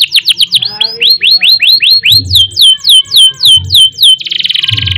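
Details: Persistently singing canary, ngerek and nembak style, for tutoring and prompting other birds: clear whistled notes curving down then up, repeated about four per second, finishing in a harsh buzzy roll.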